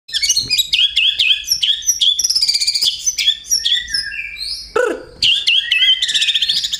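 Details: Male white-rumped shama singing a fighting song with church-bird mimicry, a rapid run of loud whistles, sharp chirps and slurred notes, including a deep falling swoop near the end.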